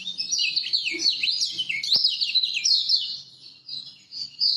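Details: Lemon-bellied white-eye from Lombok, a master song used to coax silent birds into singing: a rapid, continuous high twittering warble of sliding chirps and trills, with one sharp click near the middle.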